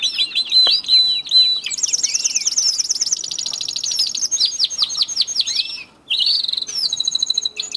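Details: Male domestic canary in early March, early morning, as breeding season and nesting begin: a continuous, high-pitched run of rapid trills, rolling rattles and sweet whistled phrases, changing tour every second or so with brief pauses.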